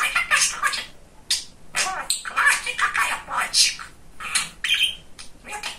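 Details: Male pet budgerigar known for being very talkative mimics speech in quick raspy phrases, syllables running together, ending in a short whistled note, recorded in a small room.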